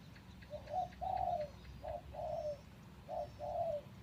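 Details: Spotted dove used as a decoy, taken out of a breeding cage three days earlier: three paired coos, each a short note then a longer, falling one, over steady low background hum.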